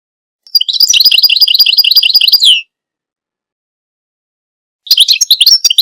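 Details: European goldfinch song in two bursts: two seconds of rapid, liquid twittering with a brief buzzy trill, a pause of about two seconds, then more quick high chirps starting up again.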